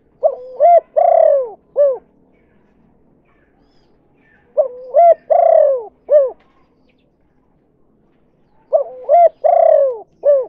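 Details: Spotted dove 'kuk 2' lure cooing used to bring in other doves; three similar phrases spaced about four seconds apart, each soft double coo, drawn-out descending coo and a clipped ending note, faint hum beneath.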